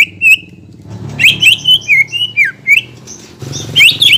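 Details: Greater green leafbird song meant to stimulate birds after moulting: a series of sharp, slurred whistled notes about four per second, over a steady low rumbling hum.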